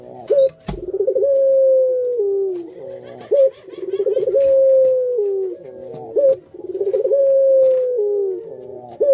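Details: Cooing of a domesticated puter dove in the pelung style: three cycles, each a brief rising yelp and rolling stutter leading into a long sustained tone that falls away at its close. A sharp click early on.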